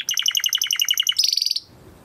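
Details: Timbrado canary song used for training, a rapid even trill of about fourteen pulsed notes per second shifting abruptly into a higher, tighter rolling trill that fades out.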